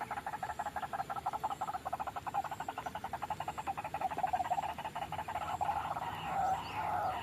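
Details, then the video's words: White-breasted waterhen calling on a trapping lure track: a long run of quick, evenly spaced croaking pulses that swells into louder, harsher notes toward the end. "suara pikat burung ruak ruak"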